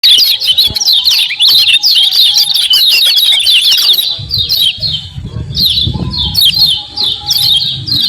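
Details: Common iora, a vigorous 'ciak ciak' chatter used as a lure to provoke other ioras into quick response: dense rapid high chirps and downslurred notes, steady for four seconds, then broken bursts over a low rumbling background.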